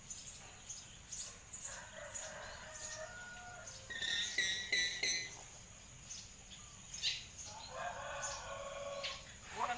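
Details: Common hill myna chattering like a person: soft harmonic phrases, then a burst of quick sharp metallic notes, then more drawn-out nasal, voice-like syllables toward the end, with constant background noise.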